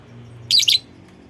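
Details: A lovebird's call used to provoke other lovebirds into singing, heard as a single piercing, scratchy two-part chirp, brief and very high, with faint low hum underneath.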